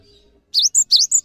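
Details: Cinereous tit singing as a master song for other birds: two quick phrases, each a rising swept note joined to a clear high whistle, after a short faint hum.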